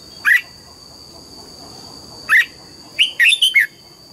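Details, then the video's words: In the morning, a red-whiskered bulbul is pressed to sing double notes in the mature wild style. Two separate clear whistled notes about two seconds apart lead into a fast chain of four rising and falling warbles, with a faint steady whine behind. "Luyện giọng chào mào hót sáng, ép chào mào hót âm kép già rừng hay tuyệt!"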